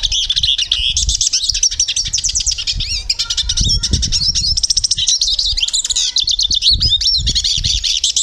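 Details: Portuguese European goldfinch song of rapid high twitters and buzzy trills, set against noticeable low thumping and background noise.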